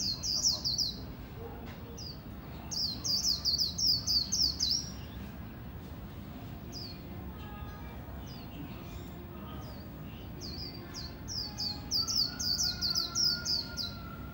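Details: Competition Oriental white-eye singing líu song: bursts of rapid, very high twittering notes lasting about two seconds, separated by quieter gaps with scattered chips, a faint whistled tone and steady low hum behind.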